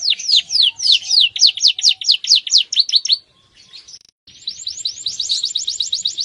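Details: Male canary singing vigorously: fast rolls of high, sharply falling whistled notes for about three seconds, a brief near-silent pause, then a quicker, tighter trill of rising-falling notes to the end.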